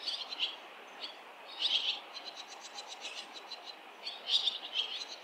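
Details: ['Noisy fledging of barn swallows along a street full of flying swallows, with parents and fledglings from other nests visiting; scattered high twittering chirps, clustered into brief busy bursts near the start and end.']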